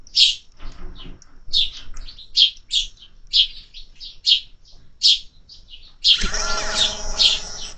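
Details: Several high, clipped chirps from sparrows visiting a feeder in summer, followed by a loud rustling, clattering noise over the last seconds.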